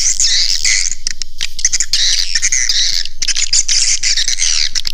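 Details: Swiftlet calling sound meant to draw swiftlets into a nesting house: rapid, overlapping high chirps and buzzy twitters in loud bursts, broken by short gaps and clicks.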